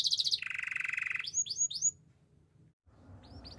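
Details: Timbrado canary of the Spanish breed singing for training: a quick bright trill drops into a steady low buzzy roll, followed by three rising swooped whistles, a pause and faint upslurred notes.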